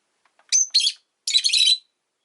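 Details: Caged rosy-faced lovebirds, five kept at a window, on a calm afternoon: two sharp screechy chirps followed by a longer, rasping chattering burst.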